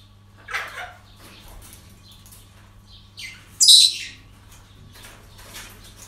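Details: Parrots at a breeding centre: a rasping call early, faint chatter, then a loud shrill squawk past the middle, followed by softer scratchy notes over a low hum.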